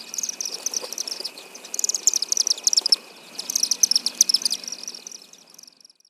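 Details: Chimney Swift in Hampton Roads during the warm months, twittering: rapid, high, dry chippering notes in bursts over five seconds, with a faint steady insect drone beneath.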